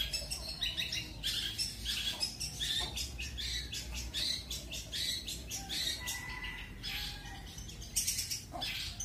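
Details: Long-tailed shrike of the pastol type singing training material in roll speed and roll tembak styles: dense, fast chattering bursts of sharp, high notes and short buzzy trills, nearly continuous with brief gaps, over a low steady background hum.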